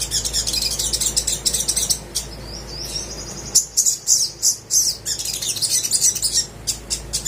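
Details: Sunbird song played as a lure to encourage quiet caged birds to sing: dense, high chattering and twittering notes in rapid bursts, with a thin rising whistled phrase near the middle and a steady low hum underneath.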